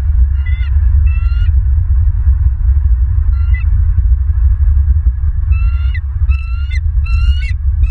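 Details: Bald eagles at a nest in Southwest Florida, picked up by nest camera 3 on 25 November 2022 at 21:09: short, slightly rising, harmonic piping notes in pairs and triplets, separated by pauses, over a heavy low rumble.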